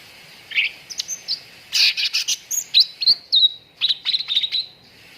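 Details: A cucak ranting sings as a lure to make contest birds sing quickly. The song is a lively, rapid stream of loud chirps with harsh buzzy notes, then clear whistled slurs and a quick twittering close.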